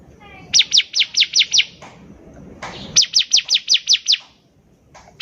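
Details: Actively singing bar-winged prinia (ciblek), used as a lure: two runs of six to seven sharp, high, down-slurred notes at a steady pace, a faint lower whistle before the first, and a brief rustle between runs.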